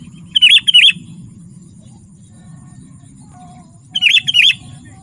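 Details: Sooty-headed bulbul singing energetically, used to lure wild bulbuls and to tutor caged birds; two brief bursts of paired, bubbly whistled notes, one at the start and one near the end, over a low steady hum.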